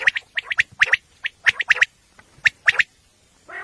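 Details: Common quail, described as a single female, calling at night in a recording used for hunting: sharp, clipped notes in quick triplets repeated about once a second, with a brief harsher rasp at the end.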